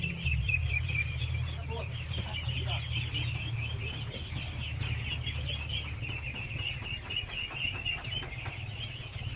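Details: Ducklings crowding in their thousands at feeding time, a constant shrill chorus of overlapping peeps over a loud low rumble of machinery or wind.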